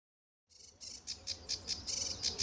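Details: Sedge warbler singing at RSPB Fowlmere on an early July morning in 2013 under blue sky and sun: after a short silence, a quiet run of rapid, buzzy, high chattering notes repeated several times a second.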